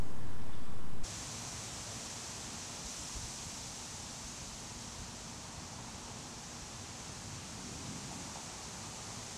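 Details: Steady broadband hiss with no animal voice, louder for the first second and then settling to a lower, even rush like distant running water.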